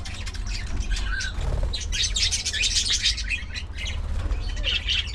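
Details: Social colony of budgerigars: a busy, continuous chatter of high, overlapping chirps and scratchy notes, with a soft flutter of wings near the start and a low background hum throughout.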